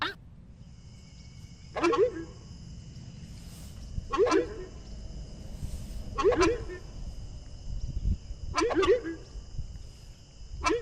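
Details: Horned screamer, known locally as aruco, giving its song: four deep, hoarse honking calls spaced about two seconds apart, each with a short rough tail, over steady high insect droning and low background rumble.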